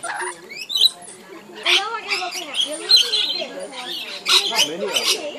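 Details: Lorikeets at Tamborine Mountain, NSW, Australia, give harsh, shrill screeches in quick bursts, with a person talking over and between the calls.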